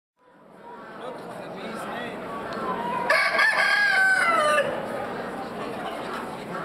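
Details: Rumpless wild-coloured (partridge) Araucana at a cantonal poultry show in Grangeneuve, Switzerland, January 2013: one drawn-out crow, rising then falling, lasting about a second and a half, over a constant hum of a crowded hall full of other birds.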